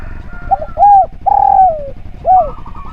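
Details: Lively, melodious spotted dove song for teaching other birds: brief low stutters, a rising-falling coo, a long mellow coo easing downward, then a closing arched coo. Faint higher bird notes are heard near the end.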